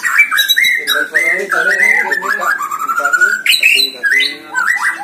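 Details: Contest recording of a White-rumped shama in song: an unbroken, dense run of clear whistles that step up and down, with shrill sharp notes and chattering bits, lower harmonic voices overlapping throughout.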